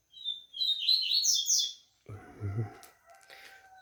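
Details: Captive Double-collared Seedeater, recently out of molt: a fast run of high twittering and warbled notes for about a second and a half, followed by a low rumbling knock and a faint steady electronic tone.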